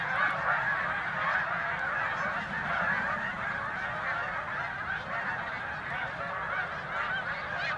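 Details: Snow geese feeding on spilled corn in a corn field, circling and landing farther off as a person approaches: a dense chorus of nasal, high-pitched honks overlapping into a continuous yelping roar with no pauses.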